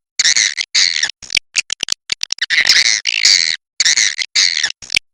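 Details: Swiftlets, cave swiftlets named as Chinese, giving loud, harsh, buzzy chirps in rapid bursts, some long and rasping, others short clicks, repeated irregularly with brief silences between.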